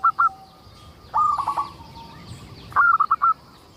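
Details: Local zebra dove in lively song meant to prompt other zebra doves to call: two short opening coos, then two rolling phrases of rapid, mellow pulses, with faint background chirping.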